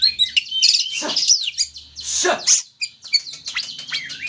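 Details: Oriental magpie-robin, aggressive and in full song, played to goad another bird into singing: dense, scratchy, high-pitched warbling broken by harsh buzzy bursts and short piercing whistles.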